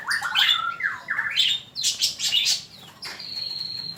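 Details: Song of a male magpie-robin, meant for tutoring captive birds: loud swooping whistles and sharp downward slurs, then a burst of rasping notes and a long steady high whistle at the end.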